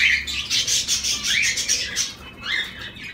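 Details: Zebra finches calling, several short nasal honking notes with rising and falling sweeps, overlapping and irregular, busy chatter with no other clear sounds.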